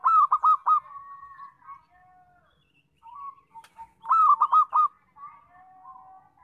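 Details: Local zebra dove singing loudly, a lure for trapping: two bursts of quick, bubbling, trilled coos, each followed by softer drawn-out whistled notes from other birds in the background.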